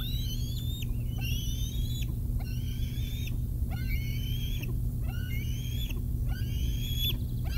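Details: Wild bald eagle eaglets, 111 and 113 days old, at the Decorah North nest on a July 2021 morning during a fish delivery. Drawn-out high whistled whines, each about a second long, come roughly six times over a low steady rumble.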